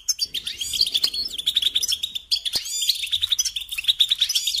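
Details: Goldfinch song for training young songbirds, a fast, continuous run of high, liquid twitters and chirps with short trills and a few sharp clicks in between.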